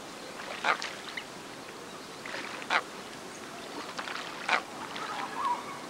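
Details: Andean coot (gallareta) on Lago San Pablo, Otavalo, Ecuador, uttering brief harsh notes in uneven groups roughly every one to two seconds, with a softer rising note near the end and steady background hiss.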